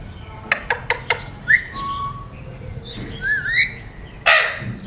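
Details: Alexandrine parakeet mimicking talk: three quick clicks, then a rising whistle, a held flat whistled note, a wavering speech-like phrase and a final harsh burst, all indoors over a low hum.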